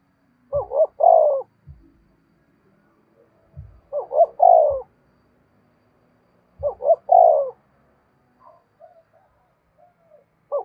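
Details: Spotted dove used to call in other doves, repeating a clear coo phrase of two short rising notes and one long burry note about every three seconds, over near silence.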